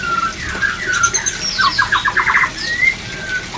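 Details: Breeding-drive therapy song of the white-rumped shama. A short burst opens with a long whistle, then shifts to a quick, evenly repeated series of bright notes and ends on an upward whistle.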